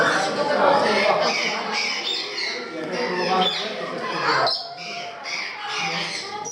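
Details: Captive parrots in Gdańsk, Poland: a continuous wash of raucous calls, then short grating squawks repeated in quick succession, with people talking nearby.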